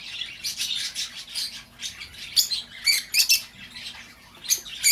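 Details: Lovebird chatter to coax an escaped bird back: steady shrill twittering with scratchy squeaks, louder peaks every half second or so, and a few piercing notes near the end.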